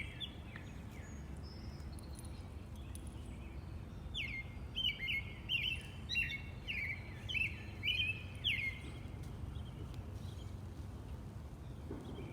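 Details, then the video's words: Robin song outdoors, with a lively run of repeated sharp chirps falling in pitch between the fourth and ninth seconds, quieter before and after, over low ambient noise. "The peaceful sounds of the Robin bird"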